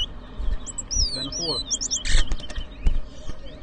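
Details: Towa towa singing at a bird whistling competition in New Amsterdam, Berbice, Guyana, 2023: bright high whistled slurs rising and falling in quick succession, broken by sharp broadband clicks, with human voices murmuring beneath.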